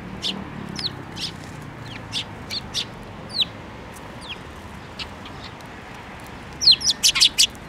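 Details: Sparrows flying to a hand to be fed, Tenmangu shrine, 7 May 2024: spaced single chirps roughly every half second, building to a quick loud cluster of sharp notes near the end, over quiet background noise.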